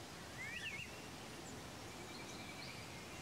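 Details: Chestnut-crowned warbler (Phylloscopus castaniceps) calls a quick burst of thin, high, wavering notes, then fainter high notes, over steady hiss; Neora Valley, West Bengal, India, March 2019.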